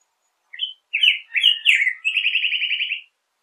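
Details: Black-headed grosbeak phrase: a few quick whistled notes, then rich slurred syllables running into a long, fast rattling trill, clear against a quiet background.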